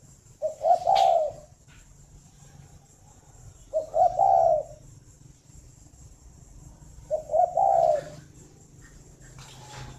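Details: Caged spotted dove on a breeding farm near Hanoi, Vietnam, calling in the morning: three evenly spaced, low, rounded coo phrases about every three and a half seconds, each with stuttered notes leading into a sustained coo, one sharp tap at the end.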